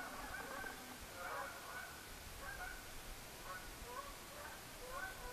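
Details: Canada geese calling at night under the blood-red moon of the 27 September 2015 lunar eclipse: faint, scattered honking calls, several overlapping at irregular intervals, over a steady hiss.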